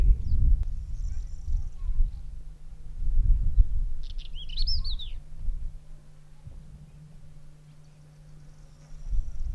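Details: One short pied wheatear burst of rising and falling high arched notes in the middle of a quiet stretch, recorded in Bulgaria in May 2010 on a windy day, with gusty low wind at the start and end.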